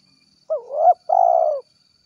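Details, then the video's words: Spotted dove calling its companions in the 'gacor kuk 1' style: a short rising lead note slides into a wavering coo, then a brief gap and one long, steady, low purring coo. The whole phrase lasts about a second against a quiet background. "suara tekukur gacor kuk 1"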